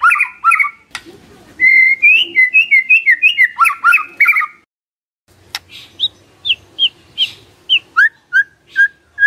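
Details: White-rumped shama song played to make a silent bird respond: dense warbling phrases, a pause, then separate clear whistled notes given roughly once a second.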